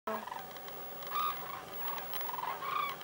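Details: Migrating common cranes calling; several distant, clear trumpeting notes at a fairly high pitch, given at irregular intervals over steady background hiss.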